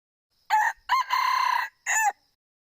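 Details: A male red junglefowl crows in four parts: a short raspy note, a quick second note, a drawn-out buzzy pulsing section and a short closing note. No other sounds.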